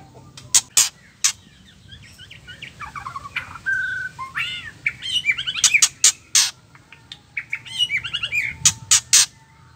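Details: Female white-rumped shama ketrekan, used to rile up males and make them sing: sharp, noisy rasping bursts repeated at irregular intervals, interleaved with looping arched whistles, a steady whistled note and rapid chattering trills.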